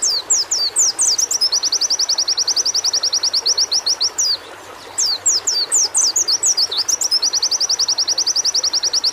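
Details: Sustained white-eye singing, used as therapy audio to prompt singing: bursts of high, down-slurred whistles alternate with long, machine-even trills of rapid chips, the pattern repeated twice.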